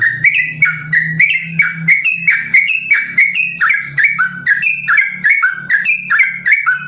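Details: Sooty-headed bulbul kept at a bird farm giving a long, rapid 'ropel' song, 'simbar jati' variation: fluty, bubbling whistled notes strung together without pause, with a faint low hum underneath.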